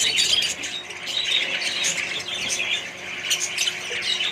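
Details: Budgie colony with other birds: a thick chorus of squeaky, high-pitched chirps and grating squawks, loudest at the start, then steady.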